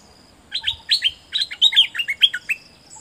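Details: Dok taeng bird singing a phrase used to train birds: a lively string of a dozen bright chips and slurred notes, some rising, others dropping, delivered in two quick bursts over faint hiss.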